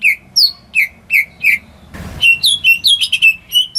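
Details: Greater green leafbird kept in the home, its song meant to spark silent birds. It gives spaced, squeaky whistled notes, then a short noisy rustle, then a quicker cluster of higher chirps and whistles.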